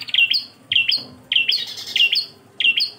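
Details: Tutor recording of bar-winged prinia song in the klawu engkel style: a few emphatic chirp-whistle pairs spaced about two-thirds of a second apart, bright and high over a quiet hum.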